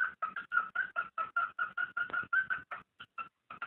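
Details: Cockatiel mating call for stimulating breeding: a fast, even series of short whistled notes, roughly two and a half per second, with a slight up-and-down wobble and a few spaced notes at the end.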